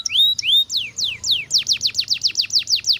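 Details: Canary song of high, sweeping whistled notes: a few long falling slurs, then a rapid run of steep downward-sliding notes repeated about five times per second.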